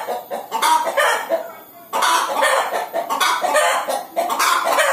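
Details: Hen about to lay an egg, giving loud, harsh clucks in bursts with short gaps, one brief pause near the second mark, then dense repeated cackling to the end.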